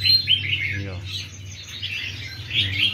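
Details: Caged red-whiskered bulbuls, many and recently taken from the wild, give rapid overlapping chirps and whistles. A short spoken word cuts in near the start, and a low hum lies underneath.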